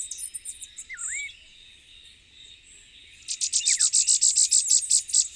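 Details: Elfin-woods warbler (Setophaga angelae), endemic to Puerto Rico, sings a rapid series of very high, thin chips, about a dozen in two seconds, over steady insect hiss and another bird's brief low whistle.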